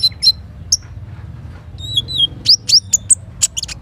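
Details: Morning song of a little spiderhunter: a few scattered high chips, a short pause, then piercing slurred whistles and clipped notes, over soft low river and forest noise.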